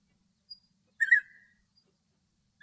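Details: Male European bee-eater (Merops apiaster) singing in Greek countryside: one mellow, rolling, liquid 'prruip' note, with another starting as the clip ends, after a faint high tick, in otherwise still surroundings.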